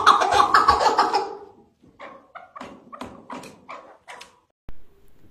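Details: A single partridge praised for a deep yet thin, rapid song in the style called Rahvan; a loud noisy burst opens, then a run of clipped, hoarse notes repeated about three times a second, ending with a sharp click.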